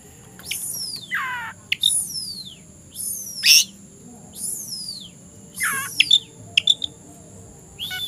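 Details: Oriental magpie-robin in the afternoon, a male ready to fight a rival, singing loud whistled phrases that sweep steeply downward, repeated about every second and a half, with sharp chip notes between them and a steady high whine behind.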